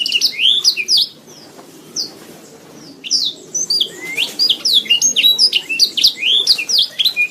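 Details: Training song of a canary: bright falling whistles and chirps, a gap of quiet after the first second, then a long busy stream of rapid high notes, several per second.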